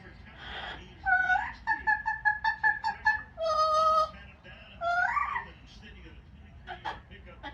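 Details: Yellow-naped amazon parrot, a pet hanging out on its perch indoors, making noise: a run of short harmonic squawks about twice a second, a longer held nasal note, then a rising wail; faint background sounds.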